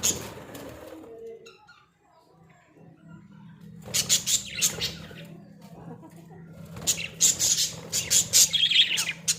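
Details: Caged Australian budgerigars, kept as pets in a small cage, chirping in bursts of rapid high scratchy chatter after a quiet start, with a low steady hum underneath.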